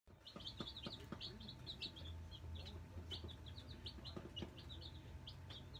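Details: Nine newly arrived Black Australorp chicks settling into their brooder, giving many thin, high peeps in quick overlapping bursts over a steady low hum and faint tapping.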